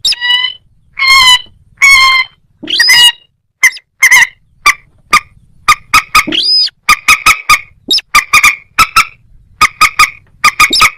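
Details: Moorhen, with a little crake possibly also present: a few long, nasal, honking notes and a rising squeal, then a rapid run of sharp, repeated clucks, some paired, continuing steadily.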